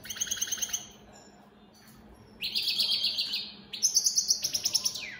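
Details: Opal split satinette European goldfinch singing in captivity: quick twittering notes, a pause, then a sustained buzzy trill and a run of sharp repeated chips.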